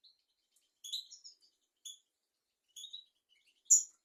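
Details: Tutor recording of European goldfinch song meant for young goldfinches and canaries: scattered bright chirps and short tinkling note groups about one second apart, ending on a sharper, louder high note.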